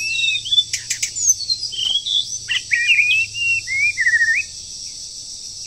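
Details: Wild bird, moulting, singing in the breeding season during training: a varied run of whistled wavering phrases with sharp clicks early on, loud bursts in a choppy rhythm, then silence apart from high background hiss.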